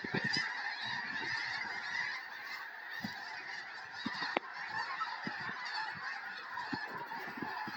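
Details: Hundreds of snow geese arriving in a field in Tennessee on January 21, 2026, before a historic snowstorm; a dense, constant chorus of high honks from the whole flock, with brief low bumps scattered through.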